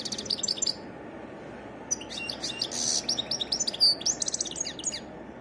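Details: European goldfinch in varied song, short twittering opening, then a lively stream of high tinkling chirps and buzzy trills over a low background hiss.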